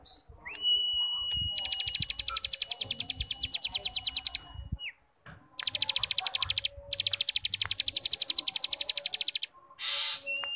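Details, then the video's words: Starling 'ngebrem' song used as a training master to get young birds singing quickly: two long bursts of rapid, buzzy, evenly pulsed rattling, about four pulses a second, plus a long steady whistle and short chirps. "Masteran Burung Cigun Ngebrem||Pancingan Cigun Muda Agar cepat bunyi dan gacor"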